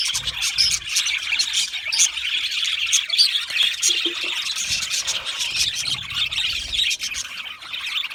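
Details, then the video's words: Many budgerigars in an aviary, busy overlapping chirping and warbled twitters in a steady high-pitched stream, some sharper tweets standing out. "Australian Budgie parrot chirping sounds"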